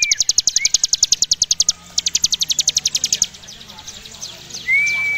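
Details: Ngebren drilling song of a ciblek gunung (Javan prinia), a long high-and-low performance meant as tutoring for champion birds: two runs of quick, evenly spaced high ticks with short upslurred whistles and a final drawn-out whistle.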